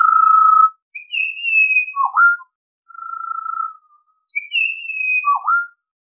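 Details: A Pied Butcherbird repeats a fluty phrase twice: a level high whistle sliding down, then a dipping, upturned note, separated by a steady mid-pitched whistle, in a quiet setting.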